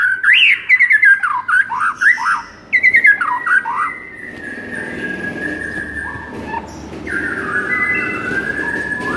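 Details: White-rumped shama masteran recording meant to rouse a listless shama into vigorous singing: rapid rising and falling whistled phrases over the first three seconds, then long steady whistled tones sliding between pitches under a faint hiss.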